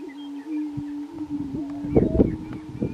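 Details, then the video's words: Grouse displaying at a lek in Colorado, 2023: a steady low hum runs throughout, broken by two sharp popping sounds close together near the end, then another pop, over a quiet background. "Colorado Lekking Grouse"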